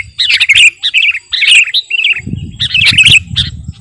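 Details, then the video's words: Sooty-headed bulbul, kutilang garuda type, loud gacor master song; rolling groups of bubbly warbled notes with short breaks, low rumble entering in the second half. "Burung KUTILANG GARUDA Gacor..!! cocok buat pikat masteran"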